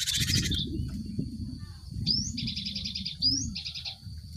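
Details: Cinereous tit song used as a lure to prompt group-caged birds to sing quickly: an opening harsh buzzy burst, then a rising whistle and two rasping buzzy phrases. A steady high whine and low background rumble run beneath.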